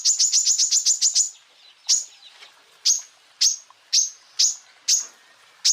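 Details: Cucak ijo, the greater green leafbird, in training song for other birds: a quick string of shrill chirps, then isolated piercing notes repeated about every half second.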